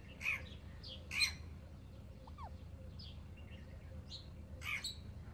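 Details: Baby Alexandrine parakeets, newly brought home, utter harsh squawks at irregular intervals mixed with thinner, higher chirps and a brief whistled note, over a low background hum.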